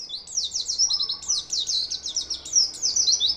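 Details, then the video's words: Kept white-eye singing a fast, continuous high warble of thin rising and falling whistled notes, busy and unbroken throughout, with faint low hum in the background. "pleci non doping gacor"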